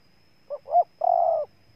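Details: Single coo phrase from a spotted dove in Ninh Thuận, Vietnam: a short note, a louder rising note, then a half-second steady, slightly buzzy coo.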